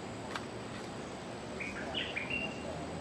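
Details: Bulbul, a newly caught bird in training, giving a few short clear whistled notes around the middle pitch range, rising and falling, over a steady background hiss.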